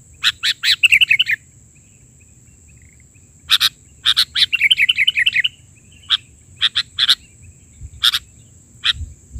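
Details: Sooty-headed bulbul, energetic 'isian' filler song, 'bahari' version. Rapid chips lead into short bubbling warbles twice, followed by scattered single sharp chip notes, with a steady faint high tone throughout.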